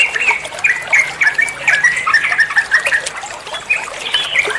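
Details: Trucukan (sooty-headed bulbul) sings quick ropel phrases as masteran tutoring for other songbirds: a steady chain of sharp, bright chirps bunched closely together, faint rustle beneath.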